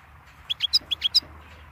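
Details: Goldfinch giving a short phrase of six bright, chirping notes, rapid and slightly tinkling, with a faint hum behind.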